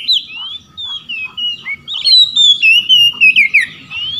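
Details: Loud 'ngeplong' singing from an Oriental magpie-robin challenging rivals, other birds of its kind responding. Rising and falling whistles build into a fast, strongly accented series of clear downslurred notes, ending with a rising whistle.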